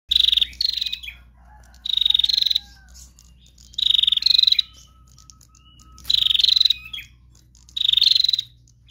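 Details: Female bar-winged prinia in a lively chattering bout. Buzzy, rapidly pulsed high bursts of about half a second come roughly every two seconds. A faint, thin, lower tone runs between them.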